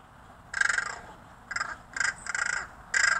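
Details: A friendly neighbourhood crow at a fire escape where it is fed mutters and rattles at its feeder: five short, harsh, rattling bursts of about half a second, spaced irregularly, close and clear.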